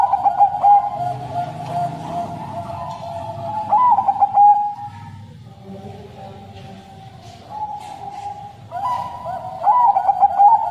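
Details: Bangkok crossbred zebra dove, kept caged, giving a long, sad-toned song. Repeated bursts of quick, bubbling coo notes at about four and ten seconds rise over continuous humming coos from other doves.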